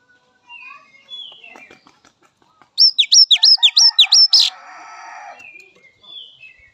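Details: Oriental magpie-robin from the wild, its typical voice used as singing therapy for captive birds: five loud, sharply repeated down-slurred whistles ending in a harsh buzzy burst, with softer whistles and chatter before and after.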